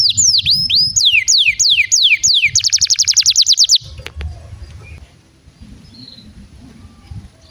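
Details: Canary song used as a prompt for other canaries: looping downward whistles followed by a rapid buzzy trill, then the singing stops, leaving faint low background noise.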